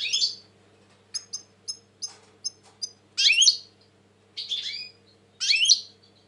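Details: European goldfinch song from 2020, the bird described as very tense: a run of soft, clipped high ticks, then three rich buzzy twittering bursts, with a constant low electrical hum beneath.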